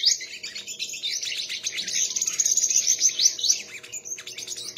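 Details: Contest singing from a sunbird, a long unbroken stream of high, thin, jittery twitters and slurred whistles that fades slightly near the end, with a soft low background drone.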